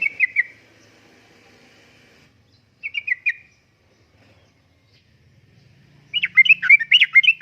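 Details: Vocal yellow-vented bulbul, 'uplik-uplik' style song for luring and tutoring caged birds: a short bubbly phrase, a second one after a pause, then a longer rapid burst of rich warbled notes.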